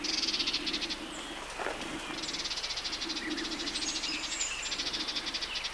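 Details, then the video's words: Harsh ticking rattles of a Sardinian warbler from the Matarraña riverside grove, June 2011: a loud opening burst, then a long, quieter run of rapid chatter, with a low drone behind. "Voces de Curruca mirlona en el soto del Matarraña"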